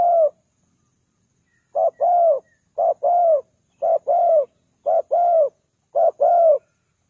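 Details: Spotted dove calling to lure wild birds: steady paired coos, a clipped note then a longer bowed one, repeated roughly every second after an opening pause, with nothing else audible.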